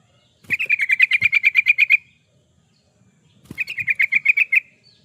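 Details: Yellow-vented bulbul singing vigorously, used as a lure and as a master recording for training captive birds: two rapid chattering runs of about a dozen bright, bubbly notes, a second or so apart, with faint soft knocks.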